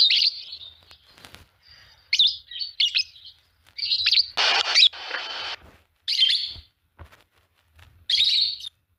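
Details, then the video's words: Fischer's lovebirds, a green pair, singing and chirping with irregular shrill chirps and harsh noisy bursts, separated by brief silences. "Lovebird singing and chirping sound, green fischer pair"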